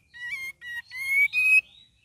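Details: Cream-vented bulbul in lively, varied singing with chattering, used as a lure recording: four clear, rich whistled notes, the later ones louder and slightly rising, in a quick bubbling phrase against a quiet background.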